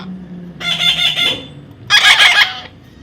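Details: Baby parrot being tamed gives two rasping, pulsed squawk bursts a little over a second apart, with a low hum and soft background noise.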